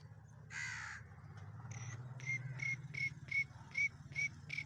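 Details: Black francolin in Sindh, Pakistan: one harsh, broad burst, then a quick run of about nine short grating notes, roughly three per second, over a steady low rumble in the background.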